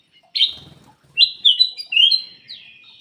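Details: Black-crested bulbul producing clear, strong whistled notes: one sharp note, a pause, then a linked series of sliding whistles. Recorded to prompt quiet birds to sing.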